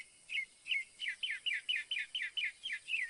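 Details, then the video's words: Northern mockingbird song: a quick run of about a dozen sharp, down-slurred whistled notes repeated in steady rhythm, about two per second. "SINSONTE O CENZONTLE CANTANDO"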